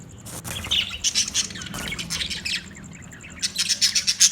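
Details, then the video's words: Budgerigars chattering in bursts of scratchy, high chirps and squawks, with short busy runs separated by brief pauses and a faint steady high ticking in the background. "Funny Budgies Sounds"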